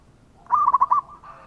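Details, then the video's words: Local zebra dove, a lure song for other birds: a single brief phrase of four or five quick, soft rolled coos, followed by a fainter trailing note. "Perkutut Lokal Gacor dengan Suara ini Sekali Putara Langsung Nyaut"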